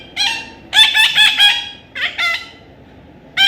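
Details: A young Indian ringneck parrot during taming gives a scratchy squawk, then a quick series of four grating notes, followed by two more rasping calls and a final squawk after a pause.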